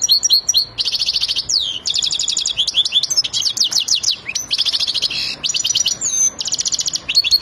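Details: Male-style excited song of a European goldfinch said to be ready to mate: a continuous, fast, high-pitched stream of liquid twitters, sharp upward slurred notes and dense buzzy trills.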